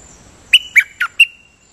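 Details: Dok taeng bird kept as a decoy singer, giving four fast clipped notes that step down and back up in pitch, squawky and evenly spaced, with a faint steady electronic-like whine behind.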